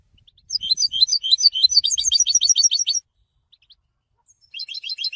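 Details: Goldfinch song for education and training, a quick burst of bright twittering notes lasting about two and a half seconds, a short silence, then the twittering resumes.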